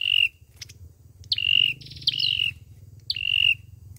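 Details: Olive-backed sunbird fighting song, played as a trapping lure: high whistled notes, each with a quick rising start and a level tail, one stretched into a buzzy double phrase, over a low background rumble.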